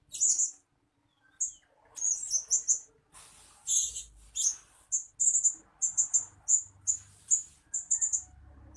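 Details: {'caption': 'Blue-crowned hanging parrot lure calls meant to attract birds. Rapid series of shrill, high-pitched chirps come in clusters and then evenly spaced tsit notes, over a faint low rumble.'}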